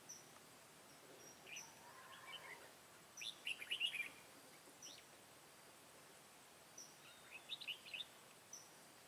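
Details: Red-whiskered bulbul, white-cheeked, singing as a decoy while trapping wild bulbuls, 1 September 2017; short faint bursts of bright, chirped, quickly warbled notes, two clusters several seconds apart over a quiet outdoor background.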